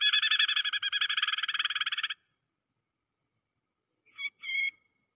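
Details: Prinia lure call known as prenjak kejepit, played for bird trapping: a rapid buzzy chattering burst of densely repeated harsh notes lasting two seconds, a silent pause, then two short rasping notes.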